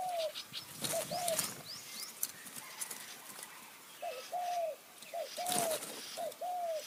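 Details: Spotted dove calls during decoy luring of wild doves in high forest, Kanchanaburi, Thailand, in khu-ang and nun-ang phrasing. Paired short-long coos at intervals, with rustling noise and faint high chirps of other birds.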